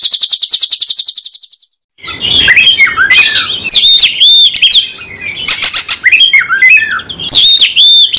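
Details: Oriental magpie-robin singing hard in fighting mode with a full repertoire: a rapid even pulsed trill for under two seconds, a brief gap, then loud varied whistles, sharp chirps and swooping slurred notes in dense bursts.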